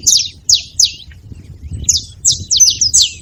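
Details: Saffron finches calling together: a few spaced, high descending chirps, a short pause, then a quicker cluster of sharp overlapping notes, with faint low background rumble.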